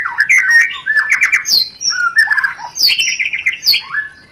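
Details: White-rumped shama sound used as a mating lure to arouse breeding: lively varied whistles, short slurred phrases jumping between mid and high notes, with quick chips and clicks, loud and continuous.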